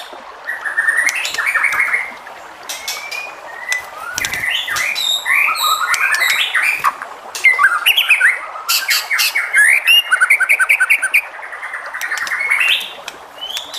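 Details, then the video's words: White-rumped shama song, used to provoke other shamas into answering with song; a loud, continuous and varied run of rich whistles, slurred rising notes, rapid chattering trills and sharp high clicks, broken by brief pauses. "MURAI BATU JENIS APAPUN PASTI NYAUT EMOSI DAN GAK BISU LAGI DENGAN SUARA MURAI BATU INI"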